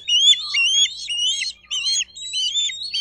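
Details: Nest-cam recording of a Bald eagle in Miami-Dade County, Florida, 4 June 2023 near 12:35: loud, squealing, slightly rising whistled chirps in quick strings, broken by two short pauses.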